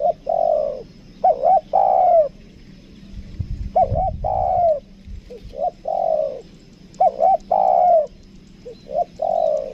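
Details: Caged spotted dove used as a lure bird, 'kuk dua' style, Lombok: a steady series of low coo phrases, paired short notes leading into a long sliding coo, with a brief low rumbling noise midway.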